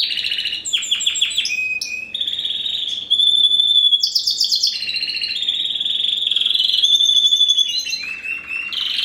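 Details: A 2015 first-generation cross of a Spanish Timbrado with a wild-type canary (Serinus canaria) sings a continuous, high song of fast metallic rolls, buzzy trills and clear whistles, changing phrase every second or so.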